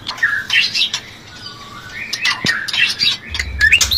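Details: Breeding-stimulation song of a white-rumped shama: quieter mix of scratchy chirps, short whistled slurs and clicks, with a low rumbling noise near the end.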